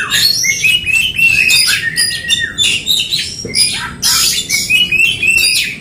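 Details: Oriental magpie-robins in an aggressive fighting duel: dense, overlapping bursts of shrill whistles and rapid chattering sweeps, with notes sliding up and down and tumbling over one another.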